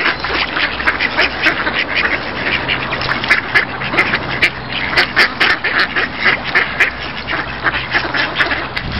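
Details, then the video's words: A noisy, crowded scene of ducks quacking all at once, short raspy calls overlapping densely with sharp clicks and knocks scattered throughout. "Duck sound"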